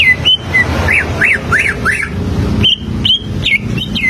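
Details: Greater green leafbird (cucak ijo) standard song, played as a model to teach young birds to sing: a rapid series of clear slurred whistles, some rising then falling, repeated in quick runs, with faint low background rumble.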